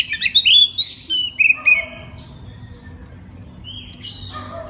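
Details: Oriental magpie-robin singing freely during the night as a lure for other magpie-robins to answer: a fast series of sharp whistled notes for nearly two seconds, then faint scattered chips.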